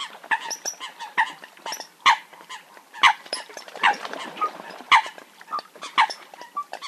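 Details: Eurasian coot (Fulica atra) recorded for hunting use: short, loud, nasal calls with a falling pitch, given every second or so. Many softer overlapping calls and clicks sound in the background, suggesting several birds.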